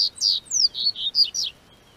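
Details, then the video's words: Double-collared seedeater in southern Brazil singing as spring warmth arrives, bird kept by a registered amateur breeder: a quick run of loud high whistled phrases, sliding and descending, about seven notes in under two seconds. "O Tempo Esquentou, COLEIRO Cantou"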